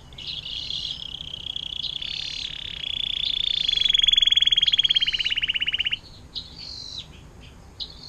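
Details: Atlantic canary singing a long 'air mancuran' (fountain-water) style song, used to tutor magpie robins, green leafbirds and long-tailed shrikes; short high whistled notes lead into a loud, fast rolling trill lasting about three seconds, then softer chirps.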